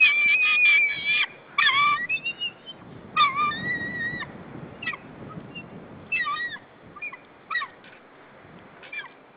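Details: White-tailed eagle alarm calls at intruders near the nesting territory, 15 April 2013, as the male brings prey: a long, steady, high yelping note, then shorter harmonic yelps in uneven bursts, fading toward the end over a low rustling background.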